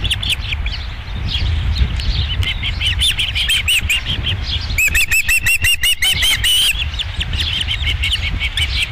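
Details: Dunrovin Ranch osprey nest, 11 July 2016, second fish delivery: scattered high chirps build into a dense, loud run of rapid whistled notes midway, then thin out, with steady low wind-like rumble.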